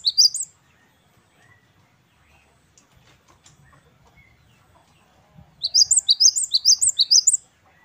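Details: High, crisp repeated two-note phrases from a great tit (gelatik batu wingko) in the 'wucit kristal' style. A brief fragment opens, then quiet with faint rustling, then a sustained run of quick sharp whistles near the end.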